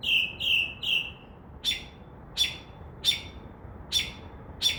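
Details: Northern mockingbird singing from a tree outside a window at night, mixing in imitations like crow caws; three quick harsh nasal notes followed by a run of sharp, clipped chips repeated about every two-thirds of a second.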